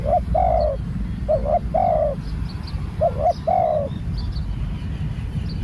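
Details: Spotted dove, a fresh bird in training, utters three clear cooing phrases in quick succession, each a paired short note then a sustained coo, before falling silent amid low hum and distant chirps.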